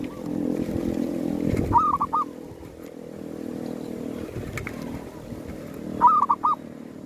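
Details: Zebra dove calling during a hunt for wild doves at a cemetery, a bird used as a lure. Two crisp phrases of three or four soft, rapid cooing notes, about four seconds apart, over steady low rumbling background noise.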